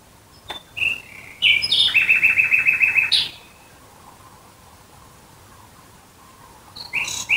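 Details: Near Dresden in Germany at night, a nightingale delivers scattered clicking notes, then a loud phrase of rapidly repeated rich rattling notes for about two seconds, followed by silence and another phrase starting.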